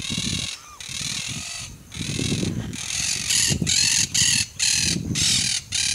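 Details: Monk parakeet (Myiopsitta monachus), call.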